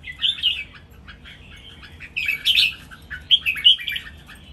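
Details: Red-whiskered bulbuls kept in cages, three competing birds, sing a lively training song with counted phrases. Short, rich, gurgling whistled phrases come in three bursts, each rising and falling.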